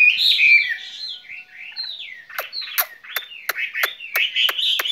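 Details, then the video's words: Spring song from a skylark in a cage. High warbled whistles come first, then a series of sharp clicks spaced about every third of a second, with whistles woven between them. "Chim quý ở lồng son ca bản tình ca mùa xuân"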